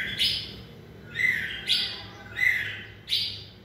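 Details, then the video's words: White-rumped shama in its 2020 'fire' season giving four short, harsh, chirping bursts spaced about a second apart, softer than its full song. "Cọp Biển rực lửa (shama bird)"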